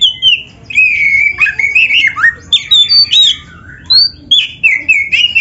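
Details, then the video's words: Oriental magpie-robin song, used as a training recording for other birds: a rich, varied stream of loud, clear whistles that slide up and down, broken into short phrases with brief pauses, and scratchy notes mixed in. "Suara Burung Kacer yang cocok untuk Latihan"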